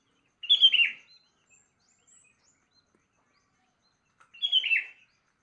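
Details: Sooty-headed bulbul heard at dawn-time morning: two matching bubbly, downward-slurred phrases about four seconds apart, with quiet pauses between.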